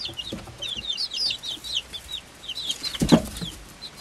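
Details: Five-week-old chicks, Swedish flower hens hatched in late February 2022 alongside a silkie chick; a chorus of shrill peeps in quick runs, a short lull, then a louder knock or scuff near the end.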